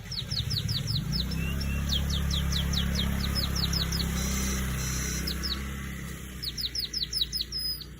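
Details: Fast series of thin, high, downward-slurred chirps from a weaver in quick rhythmic bursts, overlaid by a loud low hum that fades partway through.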